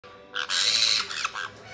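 A white-bellied caique gives a harsh, grating screech that lasts about a second, followed by a shorter rasping squawk, over a faint background hum.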